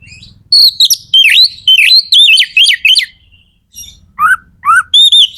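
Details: Magpie-robin, a kacer in peak song to stimulate others of its kind, giving a rapid chain of whistled notes that dip and rise, then a few lower rising whistles and high sweet notes.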